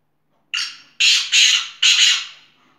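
A Black Francolin gives four harsh, grating, rasping notes in quick succession over about two seconds. The background is otherwise quiet.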